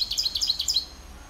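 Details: Rapid high-pitched jingle from a European serin mule (hybrid), 2021 recording: a tight burst of tinkling, buzzy notes jumping up and down quickly, lasting under a second, then fading into quiet.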